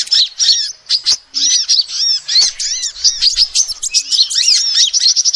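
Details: A female sunbird gives rapid, shrill twitters, recorded for luring birds: tight clusters of thin, arched notes and sharp chips that run almost without a break.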